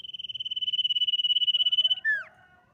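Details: Common iora singing to prompt rivals to answer: a high trill pulsing evenly for two seconds and growing louder, followed by a swift downslurred whistle that fades out.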